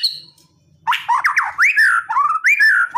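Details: Aggressive white-rumped shama song used to stir a silent bird into responding. After a short pause comes a rich run of fluting whistles, slurred up and down, in quick succession.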